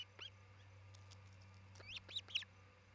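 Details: Osprey on a nest in Charlo, Montana, 27 June 2018 around noon: one high chirp, then after a gap three rising, strained whistled chirps growing louder, over a steady low electrical hum.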